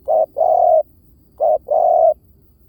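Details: Spotted dove giving a decoy call: low mellow cooing, a short coo followed by a longer drawn-out coo, the two-part phrase given twice in quiet surroundings.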